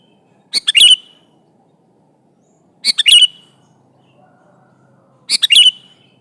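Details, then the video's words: Sooty-headed bulbul singing lively to call an opponent: three short bubbly phrases of quick notes, each ending in a falling whistled slur, spaced about two and a half seconds apart over a quiet background. "Suara burung kutilang gacor memanggil lawan ini"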